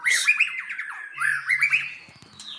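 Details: Aceh-type white-rumped shama singing its varied isian repertoire: two bursts of rapid, rising whistled warbles with hissy overtones, ending in soft scattered ticks.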